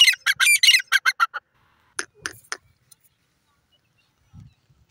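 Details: Grey francolin giving a quick series of harsh, rasping notes that slows and fades. A few fainter scattered calls and a soft low thump follow in near silence.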